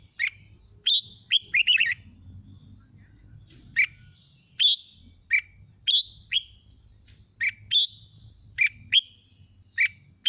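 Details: Red-whiskered bulbul song played to excite other bulbuls into singing: an opening run of tumbling, slurred whistles, then evenly spaced bright notes and short two-note phrases about every second, over a low steady hum.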